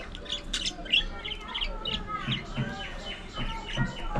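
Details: Budgies in a colony aviary: bright, sharp high chirps in quick bursts, some rising and falling, with softer chatter behind and a faint low hum.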